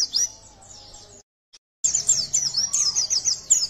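A yellow-breasted white-eye sings a fast, high, thin twittering with quick up-and-down chirps and a brief break in the middle.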